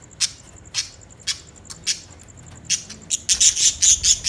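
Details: Short, clipped budgie chirps spaced about half a second apart, building into a fast run of bright, scratchy chatter at the end.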